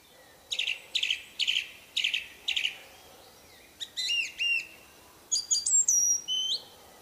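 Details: Orange-banded thrush in the wild, isian song: a series of five rhythmic buzzy chirps, followed by quick downslurred whistles and a high rising-falling flourish, clear over quiet surroundings.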